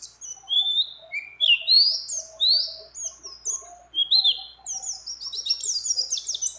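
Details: Mountain white-eye female calling to a male in breeding condition, mixed with other birds' phrases: spaced, clear rising whistles and slurs, ending in a dense burst of high twittering.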